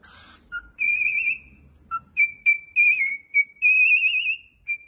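A cockatiel whistles a run of clear, high, slightly warbling notes, some drawn out and others clipped, with two lower chirps and a short rustle at the start.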